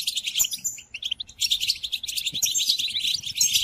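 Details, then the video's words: European goldfinch singing for song tutoring of caged goldfinches: sparkling, rapid twitters and piping notes, louder phrases after a short lull near one second. "قدم هذه الآصوات لطائرك الحسون وشاهد ماذا يفعل Chardonneret"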